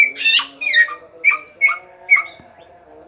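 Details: Sooty-headed bulbul singing actively, used as a lure to draw in untrained bulbuls: loud, bubbly whistled notes, several sliding down from high to low, about five phrases in quick uneven succession over a steady low hum.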